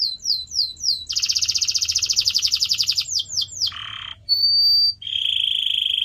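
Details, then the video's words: Canary singing for pet-bird training: several falling whistles, a long rapid rattling trill, curling sweeps, a low buzzy burst, a steady pure whistle and a closing trill. "CANARY SINGING SOUND"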